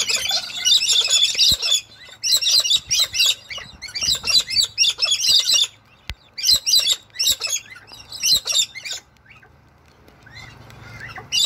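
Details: Wild galahs (pink cockatoos) in Toowoomba, Australia, give harsh, high screeching chatter in bursts roughly every second, with brief pauses between runs. Rain sounds are present.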